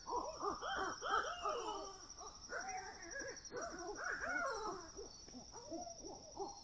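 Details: At 4 AM in woods, great horned owls trade rapid, arching hoots and excited chatter, several calls per second, over a steady high insect drone.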